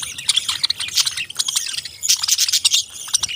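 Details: A group of parrots chirping: fast, high, overlapping twitters in a constant chatter, with a louder flurry just past the two-second mark.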